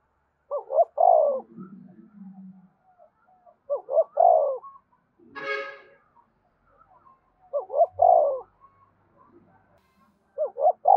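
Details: Four repeated coo phrases from a spotted dove in the 'gáy thúc' song, played so captive birds will answer. Each phrase has two short notes and a long descending one. A brief horn-like blast sounds midway.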